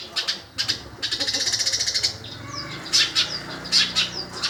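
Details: Long-tailed shrike imitating a sparrow: a few high chirps, then a flutter-like rattle, followed by paired sharp chirps with brief downslurred whistles.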